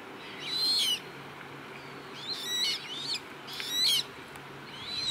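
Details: Juvenile common moorhens (Gallinula chloropus) at a pond in Rosental, Leipzig, in August 2024 give thin, high, squeaky calls in short bursts about every second or two, over a soft steady background hiss.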